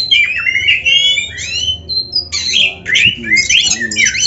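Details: Kacer, the Oriental magpie-robin, singing a full-content masteran practice recording: rapid sequence of sweet whistles, sliding notes and harsh scratchy bursts, high and varied, with a brief pause midway.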